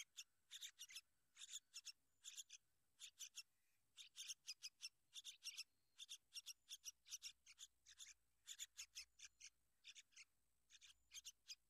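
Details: Sooty-headed bulbul caring for and guarding its young: almost continuous chattering of harsh, scratchy notes in bunches of three to five, repeated steadily for nearly twelve seconds.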